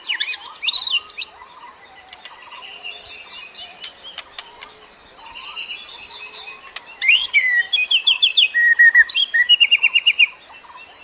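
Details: Lure birdsong: an opening chirpy flourish, a quieter stretch of soft twittering, then a lively burst of quick repeated warbled notes and chirps.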